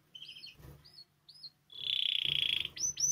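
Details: Spanish timbrado canary singing, a recording meant for song training: short rising whistled notes, then a loud buzzy rolling trill, and at the end sharp upward-sweeping notes. A faint low hum sits underneath.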